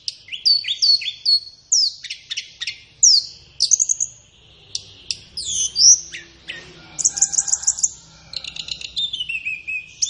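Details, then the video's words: Flowerpecker song used as a master recording for training captive birds, best played in the morning or afternoon: a rapid run of high, thin upslurred whistles and sharp chirps, then buzzy trills and descending twittering notes. "Masteran Terbaik Tledekan"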